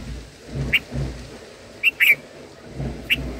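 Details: Black-headed bulbul nestlings in the nest as a parent feeds them: short, high chipping notes, singly and in a quick pair, scattered over a few seconds above soft low background rumble.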